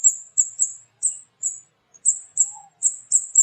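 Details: Small, loud flowerpecker (cabai) of rural mango-tree areas giving widely spaced, very high, sharp single 'cit' notes, sometimes paired, at irregular intervals in an otherwise quiet setting.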